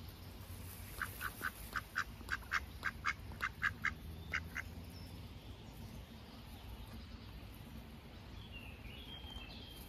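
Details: A duck on a pond on a warm, breezy summer day, where the ducks were curiously exploring path edges and bushes. A rapid, evenly spaced run of about a dozen quacks lasts three and a half seconds, then quiet with low background rumble.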